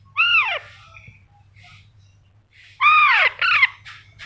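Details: Baby Alexandrine parakeet kept as a pet, giving loud harsh descending squawks with rich harmonics, one long call then a pair of rapid calls after a pause, in a quiet room.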